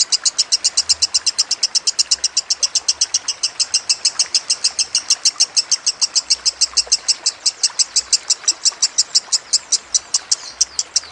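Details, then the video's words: Lovebird song over trickling water: a long, driving series of sharp, high, metallic notes delivered in quick succession, speeding slightly toward the end, with soft low thumps in the background. "Masteran Lovebird Kusumo + Gemercik Air"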